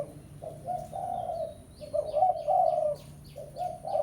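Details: Spotted dove giving lure coos in 'pesom' style to call a rival, soft mellow notes rising in strength midway, while another bird adds faint high downslurred chirps overhead.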